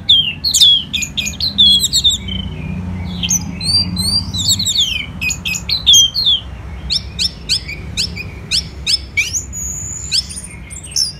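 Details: Orange-headed thrush, a caged songbird kept for singing contests, in full vigorous song: rapid varied phrases of sharp chirps, high whistled slurs and buzzy trills, loud and continuous, with steady low hum beneath.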